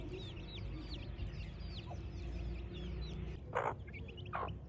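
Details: Chicks in a village at morning, sounding high, looping peeps that fall in pitch, fairly evenly spaced, followed near the end by two short, loud clucks from an adult chicken.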